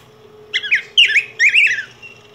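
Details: Yellow grosbeak (Pheucticus chrysopeplus), a species of Mexico and Guatemala, singing: three short bursts of rich, warbled whistles with quick rising and falling slurs, over a faint steady background hum.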